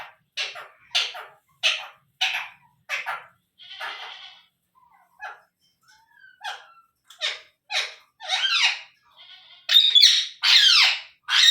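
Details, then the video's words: Baby Indian ringneck parrot giving a series of short, harsh, scratchy squawks, repeated irregularly about once a second, becoming louder and longer toward the end. "Ringnaeck Parrot Natural Sounds | Baby Parrot Sounds"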